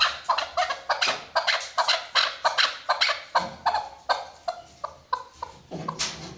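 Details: A female chukar calls as a hunting sound, giving harsh clucking chuk notes about two or three a second in an uneven run that fades toward the end, with a little background hiss.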